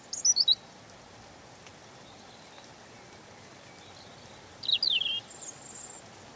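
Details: European robin giving gentle song in short bursts: a quick series of sharp high notes, a long pause, then a sweeping trilled phrase and a thin high whistle, with background hiss.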